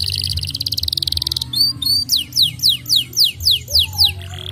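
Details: Canary lure song meant to get a caged canary that has stopped singing to sing again: a fast, high buzzy trill, then a series of bright descending whistled sweeps repeated about three times per second, over a low hum.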